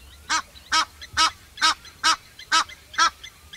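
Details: Egyptian goose calling with seven loud, rasping honks spaced about half a second apart, evenly repeated, over a quiet background.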